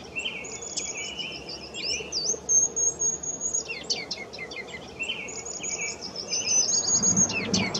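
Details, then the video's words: Ruby-crowned kinglet in May 2018, a bird always on the move hunting insects; high-pitched song of thin twittering notes, mid-pitched warbled phrases, and sustained high whistles ending in fast chattering bursts, repeated twice. "Roitelet à couronne rubis, chant / Ruby-crowned Kinglet, song"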